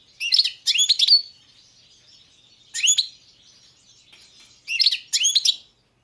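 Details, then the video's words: European goldfinch, Balkan carduelis balcanica, singing short clusters of liquid twittering and chirping notes in three bursts spaced about two seconds apart, quiet between phrases. "Pesma štiglića, češljugara , grdelina, lokera carduelis balcanica"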